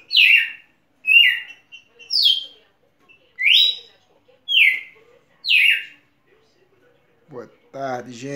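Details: Champion Red-cowled cardinal giving six loud, clear downslurred whistles about one per second, then falling silent as a man starts talking at the end.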